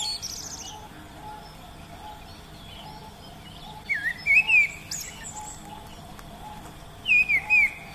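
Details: Oriental magpie-robin in the wild delivering two short bursts of rich, warbled whistles that rise and fall, about three seconds apart, against a quiet background with a thin continuous high tone and scattered faint calls.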